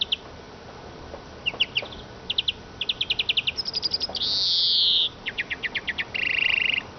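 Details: Eurasian siskin song: scattered high chips build into fast ticking runs, then a long wheezy buzz near the middle, more quick trilled notes, and a second flat buzzy note to finish.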